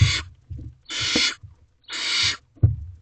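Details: Barn owl owlet in a nest box at night, 12:23 am, swallowing a mouse while its siblings watch: harsh hissing screeches, each about half a second long, with soft low thumps between them.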